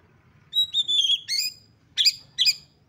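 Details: Excited Oriental magpie-robin, described as a female in breeding condition and used to rouse other magpie-robins: a sustained clear whistled note wavering slightly, a buzzy flourish, then two loud harsh chip bursts.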